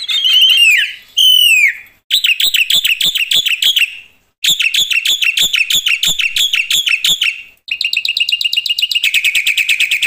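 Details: Loud black-winged myna in full, vigorous song packed with varied phrases: sliding whistles, then rapid runs of sharp repeated notes, ending in a fast buzzy trill.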